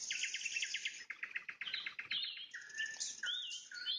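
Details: A nightingale sings at sunset, opening with a fast stuttering run of repeated notes, then switching to bright rising and falling whistles.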